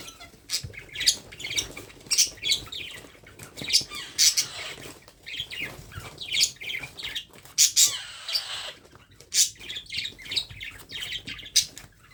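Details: Hand-fed baby parrot producing a steady stream of short harsh chirps and squawks, roughly one or two per second, with some soft background rustling.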